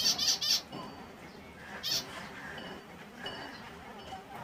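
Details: Finches of various species in their natural habitat: three quick high chirps in the first half second, then scattered fainter chirps and thin notes over a steady background hiss.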